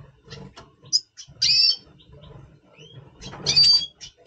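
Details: Red siskin, double pastel colour form, singing in pre-breeding mood in November 2023: sharp high chips, a buzzy slurred phrase, and a thin rising whistle, with a soft low background hum.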